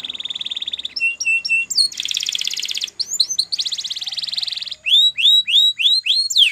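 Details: Champion Spanish Timbrado canary delivering training song: a steady rolled trill, clipped triple notes, two long buzzy rolls, then a string of sharp upswept whistles over a faint low background hum.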